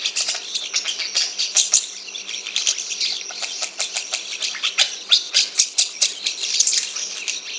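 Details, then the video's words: Asian pied starling (jalak suren, Sturnus contra) gives a harsh, raspy, chattering song of rapid scratchy bursts and squeaks, pouring out almost without pause. "Jelek Banget Suaranya Neeh (Jalak Suren)"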